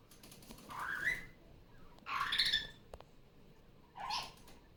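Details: Female Barraband parakeet, a household pet, loud again after leaving the nest on a Sunday morning. Three harsh calls, the first rising and slurred, the middle one broad and grating, the last a shorter screech.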